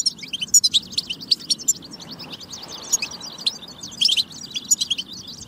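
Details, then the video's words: European goldfinch batba song meant to trigger singing in goldfinches; crisp, high twittering notes and sharp chirps in quick clusters, a short lull midway, then a lively burst of trills. "بتبة فتاكة لتحفيز الحسون على التغريد والجهوزية"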